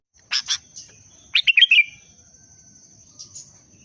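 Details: Kutilang, the sooty-headed bulbul, in breeding condition, giving 'pendongkrak' booster song: a pair of sharp chirps, then a fast burst of four liquid warbled notes, and soft trailing notes, with a constant thin high tone behind.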